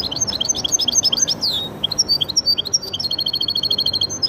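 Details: Goldfinch × canary hybrid in full, continuous song: dense high chirps, a long descending whistled slur, then a fast rolling trill of repeated high notes carrying on to the end.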